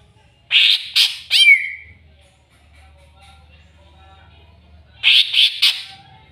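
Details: Greater green leafbird agitated by a rival: three quick harsh rasps ending in a falling whistled slur, a quiet pause with low hum, then three more rasping bursts.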